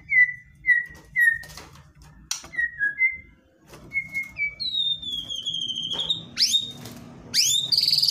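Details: White-rumped shama in aggressive song intended to make a silent bird respond; short downward whistles in small groups, a long falling whistled note, then sharp upsweeping squeaks.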